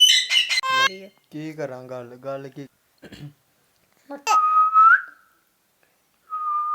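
A ring-necked parakeet gives harsh squawky bursts and a string of speech-like talking, then two long, steady whistles.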